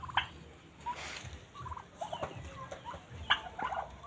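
A domestic turkey gives short, rattling gobble-like bursts between quieter clucks and peeps.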